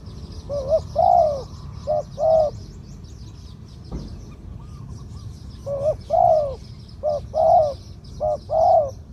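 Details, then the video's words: Zebra dove song in the '2 kuk khu-ang' style with a mid-pitched voice, a bird considered worth keeping as a decoy: short clipped notes alternating with longer arched coos in two bursts, quiet gap between, soft hiss behind. "2 กุก คูอ่าง คารม เสียงกลาง ตัวนี้น่าเก็บทำนกต่อครับ นกเขาใหญ่ต่อดิน เสียงนกเขาใหญ่ นกเขา นกเขาชวา"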